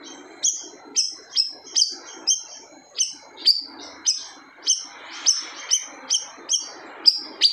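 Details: Loud siri-siri bird song, described as silencing other birds: a fast, regular series of sharp high whistled notes, each beginning with a bright accent, repeated about every 0.6 seconds for the whole stretch over a low hissing background.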